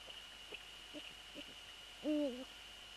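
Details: Eurasian eagle-owl around 18:10 on February 3, 2014, during a prey transfer before the male settles on the nest: one short, loud, arched harmonic call near the end, preceded by faint soft notes, over a steady high-pitched hum.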